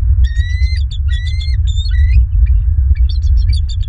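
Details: Bald eagles at a southwest Florida nest on 21 January 2023, live nest camera. High, thin whistled notes in quick clustered bursts, some slightly rising, followed by choppy chittering, over a heavy low wind rumble.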